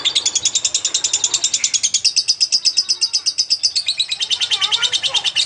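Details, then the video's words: Vigorous lovebird song, intended as a tutor for magpie-robins: unbroken rapid chattering of piercing, rasping notes, slightly rising and falling in pitch, about five to six per second. "Burung Love bird gacor untuk isian murai batu"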